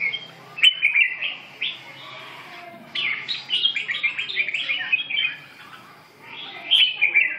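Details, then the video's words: Red-whiskered bulbul singing: bursts of bright, warbled chirpy phrases in short clusters, pausing for about two seconds mid-clip, then resuming with a loud final phrase. "chim Chào mào"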